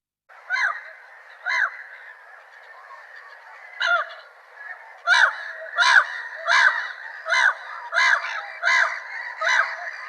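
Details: Gull calls: nasal, harsh yelping notes, a few spaced ones at first, then a steady series repeated roughly every three-quarters of a second, over a faint background hiss.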